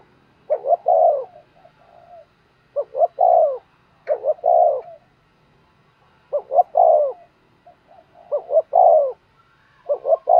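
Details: Decoy spotted dove cooing to lure wild birds; repeated three-part phrases roughly every two seconds, two brief coos and a drawn-out deep note, with faint murmuring coos filling the gaps.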